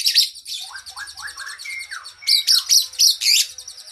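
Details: Training song of a kacer, the oriental magpie-robin: high chatter, then four to five repeated upward-slurred whistles, a clear rising note, and loud rhythmic bursts of ringing high trills.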